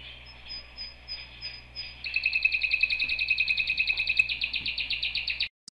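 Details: Canary song: a soft high whistle, then a rapid rolling trill from two seconds, repeating about three to four notes per second, changing to a higher, harsher roll near four seconds, ending with a short click.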